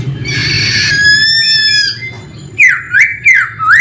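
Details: Male laughingthrush song: a harsh buzzy rising note, a thin whistled glide, then three loud swooping whistles in quick succession over a constant low hum.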